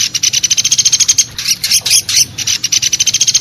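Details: Woodpecker (pelatuk besi) lure call used for trapping: rapid, evenly spaced sharp high notes, about eight per second, briefly breaking into denser burst clusters mid-sequence before resuming the steady rattling pulse.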